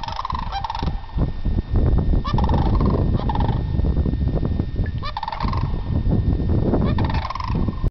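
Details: Newly arrived sandhill cranes on Diamond Ridge near Homer, Alaska, filmed from about 30 feet: repeated loud rolling, bugling rattles in bursts every couple of seconds, over constant low wind noise.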